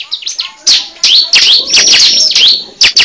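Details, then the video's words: Cible bird call used as a lure: sharp, high chirps and downslurred whistles in quick, uneven bursts, with brief quieter gaps between phrases. "Pikat suara burung cible terbaru sangat ampuh"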